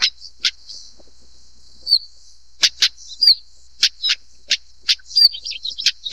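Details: Stonechat repeating hard clicking notes at irregular intervals, occasionally paired, with short whistled notes between them; continuous faint high hiss throughout.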